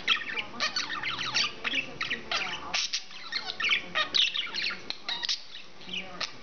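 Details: Pet English budgie chattering and screaming, recorded on November 29th: dense, fast warbling chatter of squeaky, scratchy notes and short squawks in uneven bursts, with no other clear sounds.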